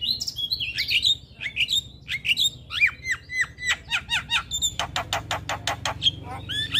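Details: A male Javan myna sings vigorously in the morning: squeaky rising and falling whistles and hooked notes, then a fast run of dry clicks, closing with thin whistled squeaks.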